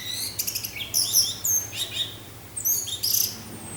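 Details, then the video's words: Orange-headed thrush song mixed with continuous low wind sound. Quick bursts of piercing high whistles and twittering trills, a few slurred downward notes, delivered in short clustered phrases. "suara angin dengan suara anis merah teler"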